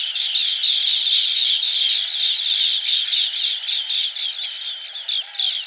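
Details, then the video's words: Green bee-eater (banspati): a busy, continuous run of high rolling chirps repeated several times a second, dipping briefly in loudness near the end. "Green Bee Eater Call | বাঁশপাতি পাখির ডাক | Bee Eater Bird Sound | Banspati Pakhir Dak"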